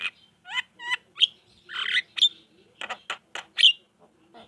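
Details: Javan myna singing to provoke reluctant mynas into answering: a jumble of harsh squawks, nasal notes and piercing whistles, delivered in uneven bursts roughly every half second.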